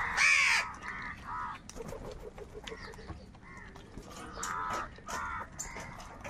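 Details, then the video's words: Crows fighting for food: one loud, harsh caw, then a series of shorter, nasal caws at an uneven pace, with faint background chatter. "Crow sound of kaka |কাকের ডাক Crow Sound Crow ki Awaz Loudly"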